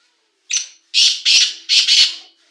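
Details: Black francolin, a first-season young male, calling loudly: a short harsh note followed by four loud, rasping, broadband syllables in two pairs, delivered rapidly over about one and a half seconds.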